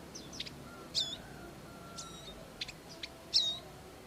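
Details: Bar-winged prinia parents tending their young in the wild; scattered short, thin, high chirps and brief downslurred notes, some in quick pairs, over a quiet background with a faint low hum.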